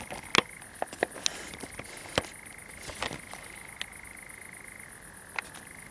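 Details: Night recording from a pine forest in Zamudio, Bizkaia, 7 July 2020: a common nightjar churrs in a long unbroken trill that shifts pitch near the end. Sharp clicks and knocks punctuate it, with a shrill insect drone above.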